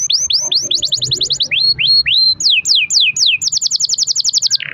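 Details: Canary song played to get other canaries singing: fast repeated downslurred whistles, lower rising notes, more falling sweeps, then a rapid rattling roll and a brief buzzy ending.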